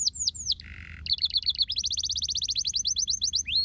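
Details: Canary song played to stimulate lazy canaries to sing: fast varied phrases of high whistled notes, descending slurs, a brief buzzy low trill, then rapid repeated chirps and trills throughout.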